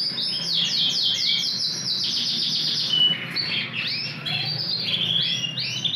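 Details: Big Yorkshire canary wearing a TKF ring sings fast repeated trilled phrases that shift into rising, bubbling swept notes, lively and continuous throughout.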